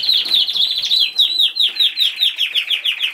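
Cockatiel chatter: a fast, continuous run of short, bright chirps and squeaky notes at a high, fairly steady pitch, several each second.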